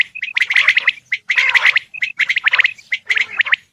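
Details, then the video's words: Male Coturnix quail calling: short bursts of harsh, chattering notes with clear whistled pips, grouped in clusters about once a second with brief pauses between. "Male Coturnix Quail Calls / Sound"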